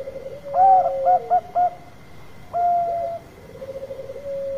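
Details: Lure song from a Bangkok-type zebra dove: four quick clipped coos, a pause, one long held coo, then a low rolling purring trill that swells toward the end.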